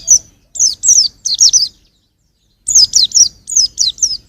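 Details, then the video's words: High-pitched twittering from a young white-eye, quick downward-slurred notes in two bursts split by a brief silence, clear and close. "suara burung pleci masih muda"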